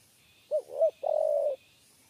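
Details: One complete three-part coo from a spotted dove of the 'kuk 3' type, lured by trappers: two brief round hoots, then a long, even, slightly vibrating note, with soft high background hiss.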